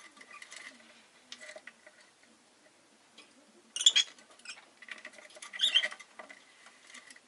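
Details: Pet rosy-faced lovebird with two loud, bright chirp bursts about two seconds apart, each a quick cluster of piercing notes, plus scattered faint ticking and rustling sounds in between.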